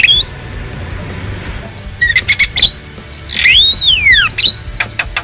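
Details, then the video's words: Wild black-winged starling gives a few short whistled notes, then a long clear whistle arching up and sliding down, followed by sharp clicking chips, against quiet low background noise. "Masteran Burung Jalak Kebo Jabo Jalbo Asli Alam Liar"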